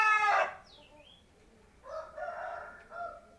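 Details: Seven-month-old native village chicken finishing a loud crow with a falling harmonic note, then, after a quiet gap, giving a pair of nasal, clucking calls.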